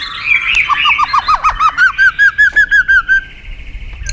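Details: White-rumped shama provoked into competitive singing: after a jumbled warble, a clear series of about a dozen downslurred whistled notes repeats evenly, roughly three per second.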